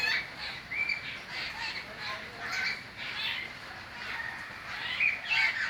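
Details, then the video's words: Several birds chirping, quick scratchy notes and short bright whistles coming in loose clusters every second or so, over a constant airy background hiss. "birds chirping sound"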